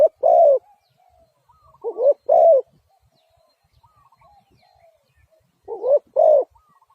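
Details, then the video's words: Spotted dove giving three deep, hollow coo phrases, each a short rising note followed by a longer drawn coo, with pauses between; a soft trilling whistle from another bird is heard in the gaps. "Sound Of Spotted Dove is so good"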